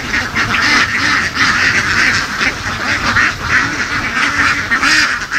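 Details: Laying ducks kept on the move through fields in western Vietnam; a noisy crowd of hoarse quacks, individual calls repeating quickly over a continuous flock chorus.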